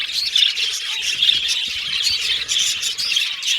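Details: Aviary budgerigar flock chirping busily, bright squeaks and short tweets piling over one another in an unbroken, lively chorus.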